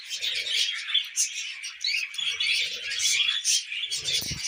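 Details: Tame budgerigars eating millet among pet cockatiels chatter without pause, a buzzy, twittering mix of short squeaks and whistles, with faint low rustles and a knock at the end.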